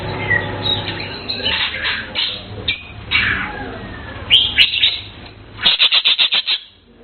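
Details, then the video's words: Blue cucak keling singing scattered bright chirps and short warbles over a low hum, ending in a rapid run of about six sharp repeated notes. "Blue Cucak Keling Bird Chirping Sound Melodious"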